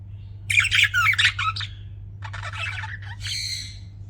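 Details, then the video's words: Pet budgies chirping: a burst of rapid warbling chatter, then a softer buzzy stretch and a final squawky note, over a steady low hum. "BUDGIES CHIRPING SOUND"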